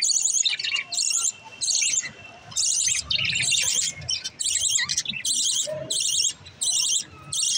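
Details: Green lovebirds, pet birds, giving bursts of shrill, rapid chirps in repeated blocks roughly every half second to second, separated by brief quiet gaps, with faint lower squeaks between.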